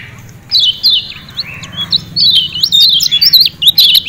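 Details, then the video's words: Lemon-bellied white-eye from Lombok, Indonesia, singing to encourage caged birds: after a few single high whistles, a fast continuous chatter of wavering, zigzag chirps builds and runs to the end. "Ciak Ciak Kecial Kuning Joss Ampuh Bikin Kecial Rajin Bunyi‼️"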